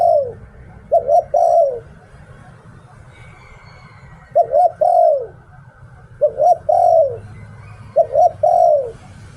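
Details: Decoy spotted dove giving 'liu tan' style song: four groups of soft, low coos, each two quick notes followed by a drawn-out downward-sliding coo, separated by pauses of one to several seconds, over a steady low rumble.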